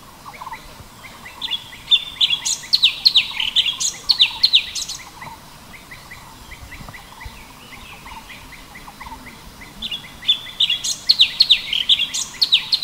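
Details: Sooty-headed bulbul: two bursts of loud, sharp, falling chirps separated by several seconds of quieter, softer repeated notes, giving an irregular chattering series.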